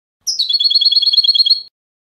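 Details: European goldfinch giving a short, even trill of rapidly repeated high chirps lasting under two seconds, cleanly recorded without background sound.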